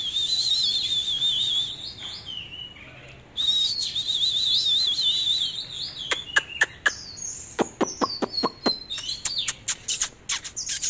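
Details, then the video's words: Oriental magpie-robin in dancing display, pouring out a long, rippling whistled warble for several seconds, then a rapid volley of sharp, dry clicks mixed with brief high whistled slurs. "chòe than múa hót"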